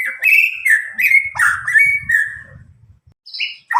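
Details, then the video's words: Young White-rumped shama of Medan stock, about nine months old and untutored, singing to coax other shamas: a series of ringing whistles, each rising then falling, over faint low rumbling, ending in a high note. "murai batu Medan gacor walau lepas trotol cocok untuk pancingan murai batu macet"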